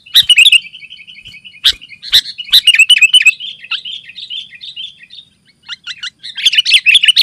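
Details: Sooty-headed bulbul chattering almost without a break, a song used to draw wild bulbuls and to tutor caged ones: a long run of quick chirped notes that swells louder near the start and the end.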